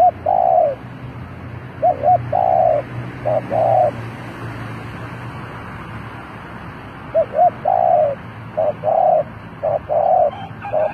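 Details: Spotted dove used as a decoy to call in wild doves: low, hollow coos in groups of three or four, each phrase ending in a longer drawn note, repeated after pauses over a steady low hum.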